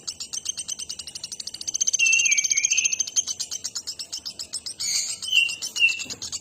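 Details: Actively singing nuthatch giving a rapid series of thin high chips, over two per second, with short whistled and slurred phrases woven in midway and again toward the close.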